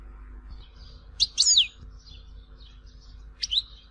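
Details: Goldfinch in Tizi Ouzou, Algeria: soft, scattered high twitters with a few louder, sharp sliding chirps spaced out across a quiet background.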